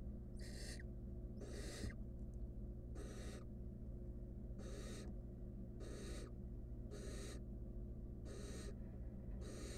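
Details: In a monitored nest box, a wild barn owl nestling with a stolen rodent hisses eight times, harsh airy bursts roughly every 1.2 seconds, against constant low electrical hum.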